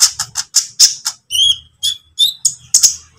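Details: Green or speckled lovebird giving lure song for training other birds: a string of sharp, evenly spaced squeaky chirps, then thin whistled notes, with a faint low hum beneath.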